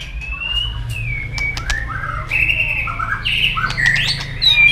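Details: White-rumped shama delivering a fighting song for training: softer sliding whistles, short warbled phrases and scattered sharp clicks over a steady low hum.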